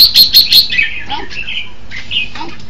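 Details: Red-whiskered bulbul opening with four loud, fast, sharp chirps, then falling into softer warbled and whistled notes, with a low hum in the background.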